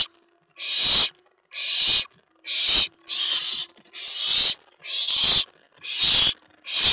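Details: Owlet inside a box on the night of 19 May 2017, stirred up as another owl arrives at the tray following a mouse delivery; coarse, noisy screeching hisses come in a regular series, about one per second.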